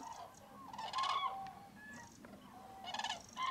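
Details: Crane roost in Tablas de Daimiel, Spain, hundreds of common cranes stirring at a frozen, misty January dawn; overlapping trumpeting calls from several birds, one loud rolling note near the middle, constant flock noise beneath.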